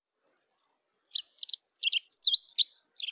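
Rock Bunting giving a quick run of high, thin chips and short twittering notes, with brief downslurred and rising elements, over a quiet background.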